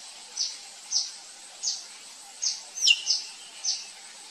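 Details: A wild drongo in nature gives short, high chipping notes about every two-thirds of a second, broken once by a sharp swooping whistle, over a steady background hiss.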